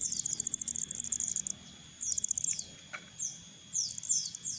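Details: Crested jay chicks being hand-fed, begging with shrill, very high chittering in fast bursts, followed by thin downslurred squeaks, over a faint low hum.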